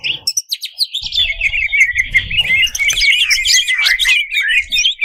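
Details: Energetic greater green leafbird song played to rouse contest birds: a dense torrent of twisting whistles, harsh chatters and quick trills with hardly a break, over faint low knocking.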